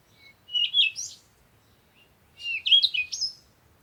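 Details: Early morning at sunrise: two lively bursts of high, sweeping bird chirps, each under a second long, with a short silence between.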